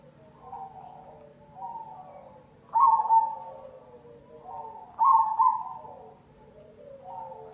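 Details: Zebra dove of the black cemani variety, song used as a lure to spur other doves to sing: soft tremulous coos, with two louder rolling phrases near three and five seconds over fainter background cooing and a low steady hum.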